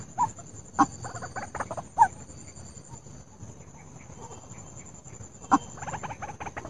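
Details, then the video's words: White-breasted Waterhen calls used as a hunting lure: short, hoarse clucking notes at irregular intervals, some in quick bursts, over a steady high hiss. "SUARA PEMIKAT RUAK-RUAK"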